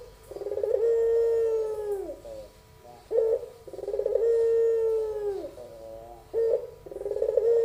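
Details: Repeated pelung-style song of a young albino puter dove: long, drawn, buzzy-edged coos, each ending in a downward slur, separated by short clipped notes, about nineteen phrases a minute.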